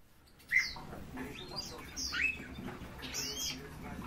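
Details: European bee-eaters giving short, burry rolling notes at scattered intervals, with several birds overlapping around a few louder calls, over a low steady background hum.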